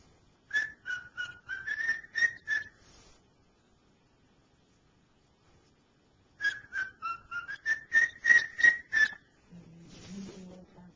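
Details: Male pet cockatiel whistles "Dixie" in two phrases, each a run of about eight clear, slightly wavering whistled notes, separated by a pause of several seconds; a person's voice follows at the end.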